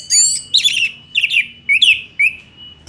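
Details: Orange-headed thrush song in Indonesia, a string of sweet slurred whistles and trilled notes in short phrases separated by brief pauses, with a steady faint tone underneath.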